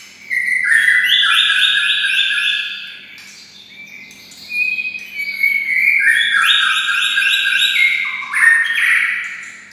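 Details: Kept white-rumped shama, raised near red-whiskered bulbuls, singing in a bulbul-like voice: rapid runs of clear, slurred whistled notes stepping up and down in two bursts separated by a brief pause, with a faint steady hum beneath.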